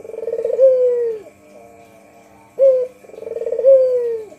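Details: White Barbary dove, local bird for luring: a long rolled coo sinking in pitch, a pause, a short clipped note, then another rolling descending coo; steady low hum behind.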